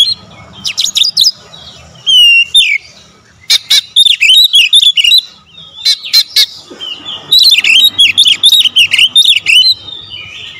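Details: Magpie-robin giving sharp high clicks, a long downslurred whistle, then dense runs of rapid, twisting whistled notes, loud and continuous toward the end.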